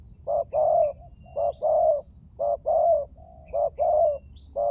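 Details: Spotted dove lure sound for prompting mute doves to call: repeated pairs of soft, throaty coos, a brief note then a longer warbling one, even rhythm, with faint high bird whistles in the background.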